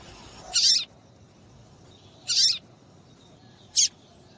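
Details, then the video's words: Female papa-capim seedeater piping to set males singing for tournaments: two longer high, rasping chips followed by a short sharp note, spaced over about three seconds. "MELHOR PIADO DE FÊMEA DE PAPA CAPIM PARA DEIXAR SEU PAPA-CAPIM DOIDO PARA CANTAR LOGO!"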